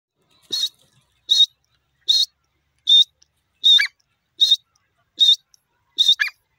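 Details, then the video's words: Grey francolin calling: short harsh high notes repeated about every 0.8 seconds in an even series, some ending in a downward slurred tail, with silence between notes. "bird teetar awaz new jore partridge bird sound"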